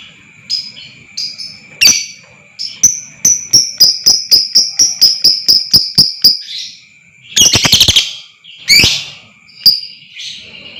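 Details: Lovebird calling intended to trigger long ngekek trilling: scattered chirps lead into a fast, even series of about fifteen clicking notes, roughly four per second, then a dense rattling burst and a few screechy calls over a continuous high whine.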